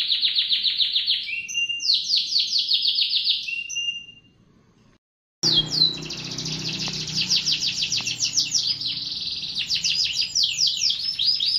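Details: Canary song in bright high trills of fast repeated sweeping notes, broken by a short silent gap before the rolling tours resume with slightly rougher background.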